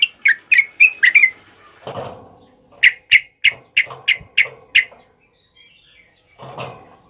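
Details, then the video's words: Ropel uplik song of a sooty-headed bulbul, loud and used to train other birds: a quick burst of whistled notes, a thud, then a run of about seven evenly spaced sharp notes, a pause and another thud. "Suara TRUCUKAN ROPEL UPLIK Lantang Keras Buat Masteran"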